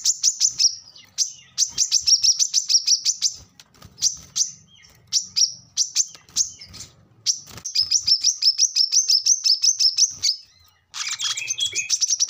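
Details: Brown-throated sunbird in lively full song, used to coax captive birds into answering: long runs of fast, thin, high-pitched chips and twitters, several bursts separated by brief gaps, ending in a dense buzzy chatter.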